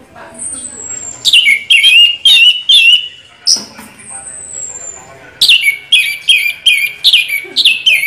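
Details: Orange-headed thrush singing rolling 'ngeroll' song, a long high whistle opening into rich warbled phrases of slurred notes, then a dense run of quick repeated chirps delivered about twice a second.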